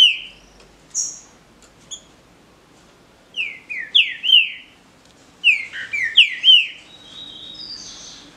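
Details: Captive green-winged saltators in a singing dispute: single whistled notes at first, then two fuller phrases of swooping descending whistles, ending with a high, thin, sustained whistle.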